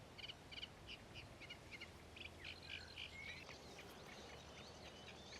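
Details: Common ringed plovers at Ilmatsalu on 1 June 2017 give short, piping whistled notes in quick clusters, several a second, against a low rumble of wind or surf.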